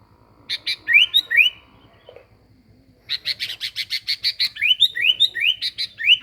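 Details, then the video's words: Sooty-headed bulbul singing lively for a bird-luring track: a few sharp chirps and upslurred whistles, a quiet pause, then a dense series of rasping chirps interleaved with clear rising whistles about two or three per second. "Pikat Kutilang gacor"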